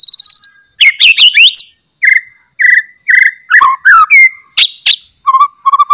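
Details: Loud song of a white-rumped shama used to lure rival shamas into singing, with hard chattering and piercing whistles: varied fast sweeps, repeated short level whistles and lower rolling phrases in quick succession.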